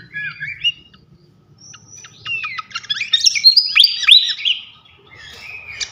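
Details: Flycatcher song from a masteran tutor recording for training champion songbirds: thin high whistles and rapid twittering notes, building into a dense burst of sharp, rising and falling chirps before softer, scattered phrases; faint low hum underneath.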